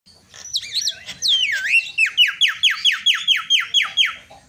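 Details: A myna opens with a quick jumble of bright, swooping whistles, then repeats a clear downslurred note about three times a second. The sound is used to stir up and get silent mynas singing.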